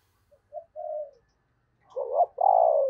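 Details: Decoy spotted dove calling to draw in wild doves: soft short hooting notes, a pause, then a rising two-part coo and a long drawn-out falling coo.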